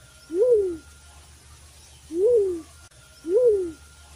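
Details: Black-chinned fruit dove, recorded as a hunting lure call, gives three low, hollow coos, each rising then falling away, spaced about one and a half seconds apart over a faint low hum.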